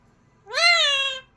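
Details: A parrot imitating the word "bye" with one long, nasal, strongly harmonic note that rises, holds, and then tapers gently downward over nearly a second in a quiet room.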